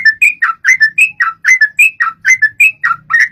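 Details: Sooty-headed bulbul (trucuk) song used as a lure to make a bird start singing quickly: bubbly, whistled phrases of rising and falling notes, delivered rapidly without pause.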